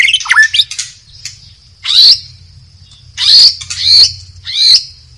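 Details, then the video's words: Forest white-rumped shama in the wild, giving harsh, buzzy bursts mixed with a few slurred whistles, spaced about a second apart over a steady high-pitched background drone. "SUARA MURAI BATU HUTAN DI ALAM BEBAS"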